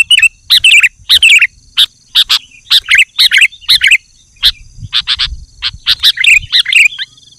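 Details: Sooty-headed bulbul in lively song, used to call wild bulbuls and tutor birds at home: bursts of short, bubbly chirped notes in quick succession with brief gaps, over a steady high insect-like drone.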